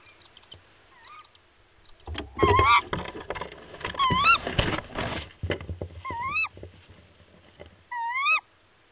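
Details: Tawny owls (Strix aluco) at a nest high in a mature sycamore in Gweek, Cornwall, UK, with three newly hatched owlets fed by the female: short, wavering, upward-curling calls, several in a row, with loud clattering noise between.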